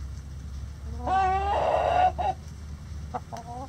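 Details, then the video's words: Backyard rooster crowing in light rain near the coop: a loud, hoarse, harmonic crow rising then holding steady for over a second, followed by short clucks from the flock over a low rumble of rain. "Rooster Crowing In The Rain"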